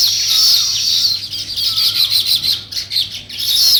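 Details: Weaver birds chirping as they build a nest, a loud, continuous mass of high, sizzling chatter from several birds, briefly dipping before rising again.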